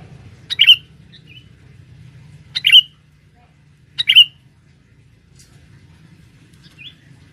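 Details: Male sooty-headed bulbul used as a trapping lure deep in the forest to call in females: three loud, bubbly chirps repeated about every one and a half seconds, plus a few faint whistled notes, in quiet surroundings.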